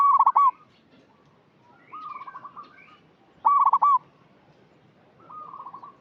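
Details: Zebra dove calling as a lure, alternating loud rolling trilled coos with softer drawn-out bubbling phrases, each about half a second, repeated roughly every one and a half seconds.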